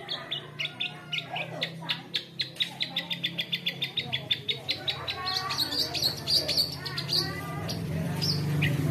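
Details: Caged long-tailed shrike in Indonesia singing on its own as a person passes by, a rapid series of sharp repeated notes about four per second, then a busier chattering, mimicking phrase with a low hum beneath.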